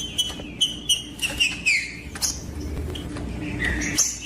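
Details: Green-winged saltator song for stimulating other saltators: a row of short whistled notes repeated evenly, then longer sliding whistles and a final rising note, with soft background rumble.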